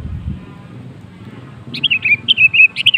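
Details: A sooty-headed bulbul sings to prompt other birds into song, with a chain of liquid, warbling whistles in the last second and a half after quiet low background noise.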